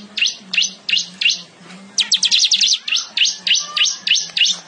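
A weaver sings sharp, high chirping notes about three per second, broken by a quick burst of rapid twittering, over a low steady hum.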